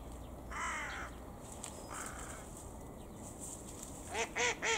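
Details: A carrion crow calling while playing with rubbish gives two drawn-out, hoarse caws, then three quick arched caws in a row, over a faint steady hiss; a Japanese waxwing calls "hii" in the background.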